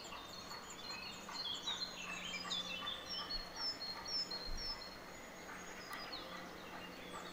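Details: Nestlings of the black redstart being fed in a nest about 1.5 m high beneath a cottage veranda roof, giving rapid thin high-pitched chirps in clustered bursts, with a low steady hum and faint noise behind.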